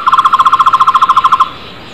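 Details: Wild coppersmith barbet calling in the wild: a rapid, even series of about fourteen hollow pulsed notes, all on one pitch, lasting a second and a half before stopping abruptly, then faint background hiss.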